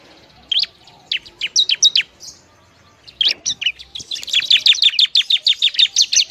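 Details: Semi-trained bar-winged prinia, its loud song used to provoke other prinias: scattered sharp chirps, then a steady fast trill of high clipped notes, about three per second.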